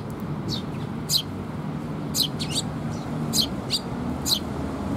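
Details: Eurasian tree sparrow parents feeding fledged young, 6 May 2021: clear piercing chirps, often doubled, roughly one burst per second over a soft low hum.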